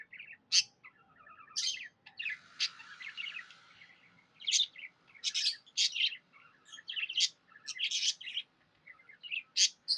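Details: Happy budgerigars chirping in captivity: sharp clicky chips and scratchy notes repeated in quick irregular bursts, with a longer buzzy rasp early on and faint background hum.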